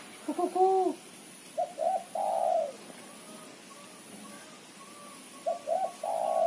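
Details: Female spotted dove calling as a lure, chattering call: short coos in clusters, a doubled arched note then short cooing pairs and a longer drawn-out coo, separated by silent gaps; faint steady high hum behind.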